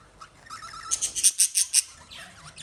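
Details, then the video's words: Lovebirds giving a quick burst of about six sharp, high chirps in a row, bunched in the middle of a short stretch, with soft chatter before and after. "Love Birds Sound Relaxation"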